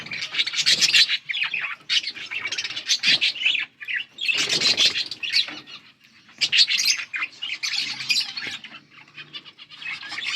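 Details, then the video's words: Budgies chirping, August 15, 2024: clustered bursts of rapid high warbling chatter separated by brief lulls near four and six seconds. "Budgies sound for lonely birds birds chirping sounds"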